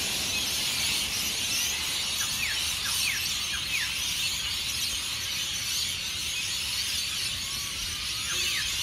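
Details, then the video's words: Deafening pre-sunrise roar of hundreds of rainbow lorikeets leaving roosts in Norfolk Pine trees at Burleigh Heads Beach, South East Queensland; constant piercing chatter broken by clusters of sharp descending squeals. "The noise of Hundreds of Rainbow Lorikeets at Burleigh Heads"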